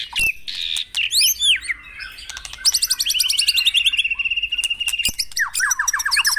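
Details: Played to caged birds at morning dewing to spur song, a white-rumped shama delivers arching whistles, then a long, fast, even trill that slowly drops in pitch, closing with a quick descending run of notes.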